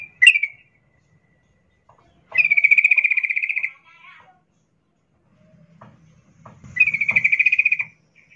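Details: A female sooty-headed bulbul in breeding condition calls to a male. A sharp chirp opens, followed by two long, evenly pulsed buzzy trills about four seconds apart, with faint low rumbling between them.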